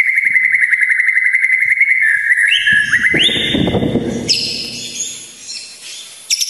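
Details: White-rumped shama song meant to provoke emotion in trained birds: a long fast rattling trill held steady, stepping up in pitch, then a harsh noisy burst and high thin trills fading out.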